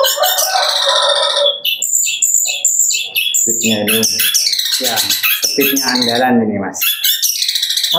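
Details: A young long-tailed shrike, about six months old and still showing juvenile wing feathers, sings a fast, varied medley of harsh squawks, high thin whistles and chattering phrases, with a man's voice partly heard underneath.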